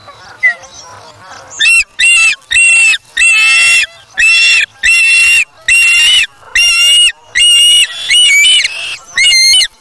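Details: Osprey chick at the nest, August 3, 2017, grabbing a fish from its parent before self-feeding. After a quiet start it gives a long run of shrill, piercing whistled calls, roughly one per second, some slightly rising.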